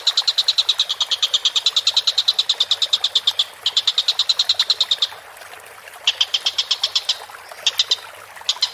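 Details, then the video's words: Collared kingfisher recording used as a tutor for training cage birds, the bird calling vigorously: rapid series of sharp, high, clipped notes, about seven per second, in bursts of varying length separated by short pauses. "MASTERAN BURUNG TENGKEK BUTO GACOR"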